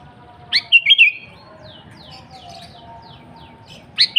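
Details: Sooty-headed bulbul singing energetically: one bubbly phrase of a rising note and clear whistles, then faint, quick descending chirps from another bird, before a second phrase begins at the end.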